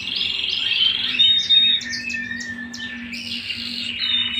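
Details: Domestic canary singing indoors: a sustained high whistled note breaks into clipped, rapidly repeated chirps and a lower rolling trill, with a faint steady hum beneath.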